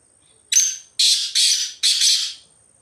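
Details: Black francolin wandering free in the jungle: a clipped opening note, then three broad, harsh, rasping notes delivered in a quick, evenly spaced phrase.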